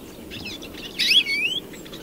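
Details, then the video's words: A single European greenfinch phrase: a burst of sharp notes followed by a smooth, drawn-out rising whistle lasting about half a second. "Canto do Verdilhão (Chloris chloris)"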